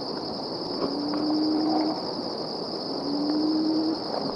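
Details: Plains-wanderer recorded at Deniliquin in 2015 gives two long, low, moaning hoots, faintly rising, about two seconds apart, over a steady high insect whine.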